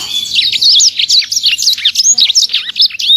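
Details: An imported sanger cagebird sings a fast, unbroken torrent of high sweeping whistles and rapid trills, each note slurring up and down, packed tightly together without pause.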